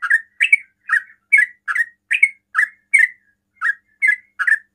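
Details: A sooty-headed bulbul delivers a fast, provoking song to lure other bulbuls to answer. Short gurgling chirped notes follow each other closely, with one short pause near the end, about eleven notes in under five seconds.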